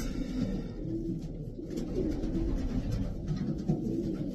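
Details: Racing pigeons coo in a short burst, deep bubbling notes from several birds overlapping, with light rustling.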